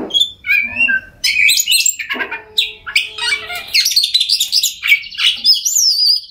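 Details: Oriental magpie-robin song to stir silent birds into singing: a few clear whistles lead into dense, rapid, harsh chattering and varied twittering notes.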